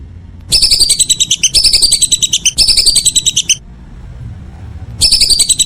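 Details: Whistling duck heard in the evening, giving three linked bursts of fast, high, chattering whistles, then a quiet pause before the calling resumes.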